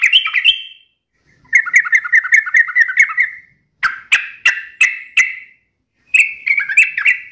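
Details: Lively sooty-headed bulbul song in the sharp uplik, nembak and ropel style: bubbly whistled phrases, then a run of quick liquid notes and a series of loud repeated notes about three per second, broken by short pauses.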